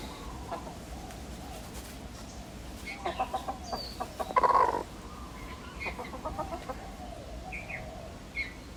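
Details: A pet backyard hen purrs in soft, rhythmic trills in short pulsed bursts, a sound made when feeling safe, calm and content, with one louder throaty burst midway and faint small-bird chirps behind.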